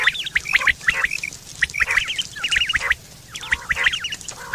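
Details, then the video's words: Quails recorded in September 2023, their call said to serve for hunting and mating: dense bursts of quick, twittering, bent chirps in clusters, brief pauses between groups, over a faint low hum. "Quail fresh sound sep 2023/ batair ki awaz"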